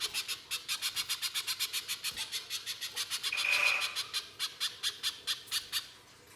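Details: Loud little spiderhunter song in harsh shooting style, used to lure spiderhunters into singing: fast rasping notes about four per second, with a brief clear whistle and a louder swell midway, then fading.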